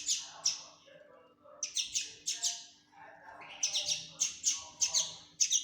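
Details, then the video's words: Common linnet fledgling giving bright high chirps in clusters, several sharp notes around half a second apart, with soft lower twittering between bursts. "فرخ حسون تفاحي Linotte melodieuse"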